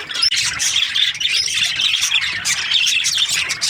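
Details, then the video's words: Parakeets, budgerigars in breeding season, fill the air with nonstop overlapping chirps, squeaky warbles and short squawks from many birds at once. "Lovely budgies chirping sound parakeets breeding season"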